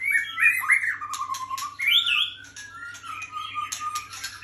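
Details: White-rumped shama delivering varied song: slurred whistles and rising-falling squeals mixed with short harsh notes and ticks, over a faint low electrical hum.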